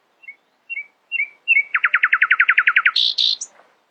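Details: Nightingale in early morning song: three short rising whistles lead into a loud, rapid, machine-gun series of about fifteen identical notes, then two harsh buzzy bursts and a high squeak.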